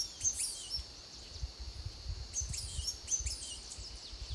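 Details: Thin, high, sharp chips from a Blue-and-gold Tanager in Costa Rica (2021), in short clusters scattered irregularly over a few seconds, above a steady low rumble of wind or distant noise.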